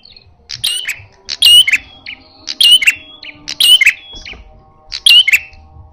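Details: Aggressive red-headed prenjak in fighting style, calling loudly: clustered piercing chirps with bright downslurred whistles, repeated about every second, with brief gaps between bursts.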